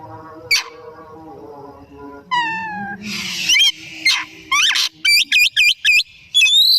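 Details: Afternoon song of a kept Oriental magpie-robin, used to stimulate other birds to sing. A falling mewing note and a harsh rasp lead into a rapid series of repeated swooping whistles, then a high sustained whistle.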